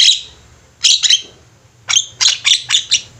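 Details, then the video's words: Javan mynas in a lively group, recorded as a master for training birds: sharp squeaky whistles in short clusters, a pause, then a quick string of five or six bright chirps. "Jalak ombyokan gacor, cocok buat masteran"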